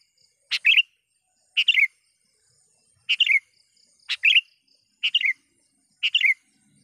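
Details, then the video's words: Lure call of a vigorously calling sooty-headed bulbul answering a rival: six brief phrases roughly one per second, each a scratchy note then quick liquid, warbling whistles, with a faint high hiss behind. "suara BURUNG KUTILANG gacor memanggil lawan"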